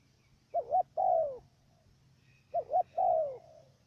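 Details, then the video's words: Decoy dove kept for trapping wild doves in Cà Mau, Vietnam, giving its stuttering coo twice: a pair of short hooked notes followed by a drawn-out descending hoot, with a faint hum behind. "Bổi thổ gù cà lăm tiếng đầu"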